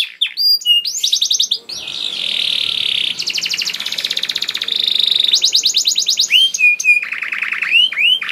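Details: Canary song played to coax other canaries into singing: alternating fast rattling trills and dense buzzy stretches, broken by short sharp whistles and a level whistled note near the end, loud and continuous.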